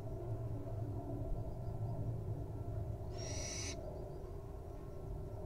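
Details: Resting wild owl nestling, settling in to snooze, lets out a single brief breathy screech-hiss after a few seconds of quiet low background rumble.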